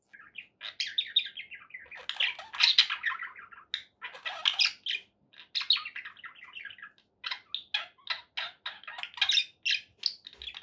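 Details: Chirping and warbling from indoor pet budgies, phrases of quick buzzy notes alternating with strings of short, sharp chirps separated by brief silences.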